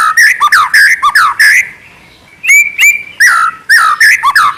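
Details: White-rumped shama song for provoking other shamas into singing: quick varied whistles and slurred notes, a short pause, then clear rising whistles and more fast tumbling phrases.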